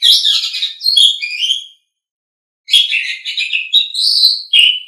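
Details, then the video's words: Asian pied starling song for songbird training: two bursts of dense, scratchy chatter mixed with clear whistles, divided by about a second of silence, the second burst ending in a sharp falling whistle. "Masteran Terbaik Jalak Suren"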